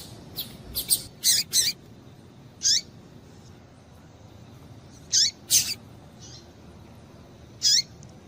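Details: A cluster of quick high chirps from a female double-collared seedeater calling to stimulate males, followed by single downslurred chirps at roughly two to three second intervals.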